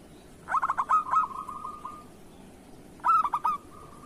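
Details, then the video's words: Zebra dove, local kerot type, cooing as training material for other doves. Two phrases of rapid, stuttered coo notes, each fading into a drawn-out level trill, with a steady faint hiss behind. "Suara perkutut lokal masteran perkutut kerot"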